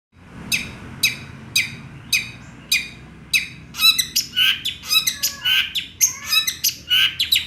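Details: Long-tailed shrike singing at full volume, its song filled with mimicry of small birds: evenly spaced sharp chip notes about every half second, then a fast jumble of varied twittering, squeaky and chattering phrases.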